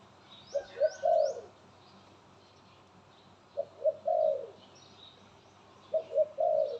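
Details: A kept pet dove, said to be cooing well now, repeats a low cooing phrase three times, about every two and a half seconds: two quick notes, then a longer rolling coo, with thin high chirps from other birds behind.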